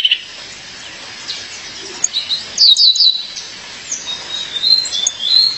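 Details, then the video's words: A female violaceous euphonia calls her mate with a short buzzy note, then a tight run of three bright, falling high chips, followed by soft, thin rising whistles. "Fêmea de Guriatã, chamado seu parceiro"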